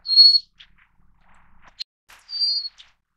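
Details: Two clean, high, thin whistles from a Little Forktail, an endemic subspecies of Taiwan's mountain streams, come about two seconds apart, each trailed by a tiny short note in a quiet setting.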